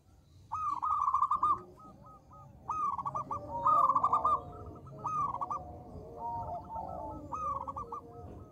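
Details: Local zebra dove used to provoke other birds into calling: quick stuttering coo bursts in groups, some stretched longer, separated by quieter pauses, with fainter lower coos and steady background noise.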